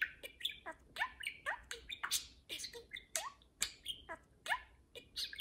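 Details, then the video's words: Two parakeets at home conversing and playing, with rapid overlapping squeaks, rising chirps and scratchy warbles packed tightly together over a faint room hum. "Parakeet Pillow Talk: two parakeets converse and play"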